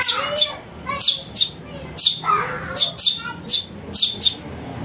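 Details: Lure recording of a house sparrow chick: bright, piercing chirps about once a second, often in pairs, over faint lower tonal sounds and a soft background hum.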